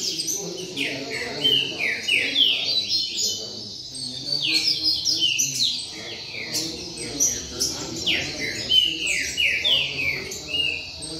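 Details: Several caged double-collared seedeaters singing and calling together in a circle, producing a continuous chorus of high, sharply descending slurred whistles and twittering chirps that overlap with no pause.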